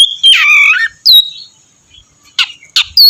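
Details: Oriental magpie-robin singing to draw another into song: a harsh slurred phrase, a clear whistle, then sharp clicks and a final whistled note.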